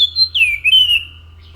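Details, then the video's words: Orange-headed thrush with a brief whistled phrase: a level note, then a long downward slur and a wavering sustained whistle fading out, low hum beneath. "SUARA ASLI ANIS MACAN GACOR"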